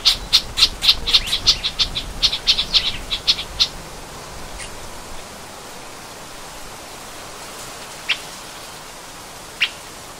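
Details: Hawaii elepaio of the ridgwayi subspecies, the upland-rainforest form on Hawaii's Big Island, gives a rapid burst of about fifteen sharp, high chips over four seconds, then two lone chips after a pause.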